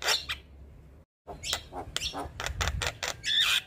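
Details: Male Javan myna, very vocal, heard as a tutor song for training other mynas; harsh grating notes and rapid clicks, a brief silent gap, then a clear whistle at the close.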